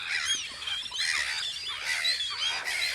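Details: Gulls keep watch on Audru polder in springtime, a busy mix of short squawks and thin upslurred cries crowding together.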